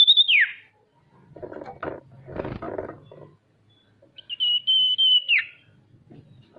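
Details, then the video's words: Song of a male ashy tailorbird, played to coax reluctant birds into singing. A clear, high, level whistle slides down at the start, then handling noises, then a second long level whistle with a falling end. "Suara sirtu untuk memancing burung pemalas bunyi agar bisa rajin mau bunyi"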